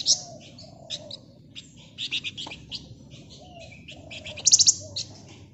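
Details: Flamboyan bird singing in lively gacor style, a dense ngebren chatter used as a lure for other birds: sharp high chirps and clustered buzzy notes in bursts, with a softer low whistle and a steady low rumble beneath.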